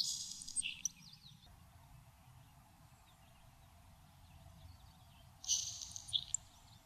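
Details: Nelson's sparrow singing in a Maine saltmarsh: two separate wheezy, hissing song bursts, one at the start and one about five seconds later, each ending in a short lower note. Quiet marsh background lies between them.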